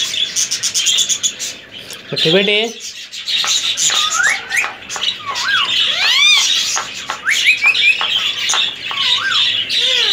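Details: Pet male ring-necked parakeet, three years old, semi hand-tamed and kept indoors, gives a rapid run of looping whistled glides and sharp squawks, sweeping up and down; a person's voice is heard briefly in the room.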